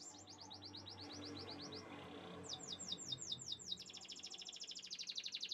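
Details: Canaries singing: a fast series of high, repeated swooping notes, then a run of slurred descending notes, ending in a rapid, buzzy high trill of many notes per second over a faint low hum.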